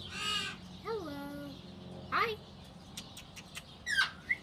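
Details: Newly rescued African grey parrot, the latest arrival at a parrot sanctuary, gives a loud harsh opening note, then a descending whistled glide, a rising squeak, scattered clicks and two sharp chirps near the end, in a quiet room.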